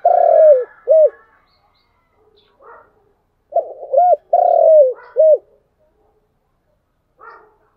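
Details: Spotted dove cooing in the chiêu and thúc styles: a long, slightly falling coo followed by a short arched note, the pair given twice with soft, low muffled notes between, in quiet surroundings.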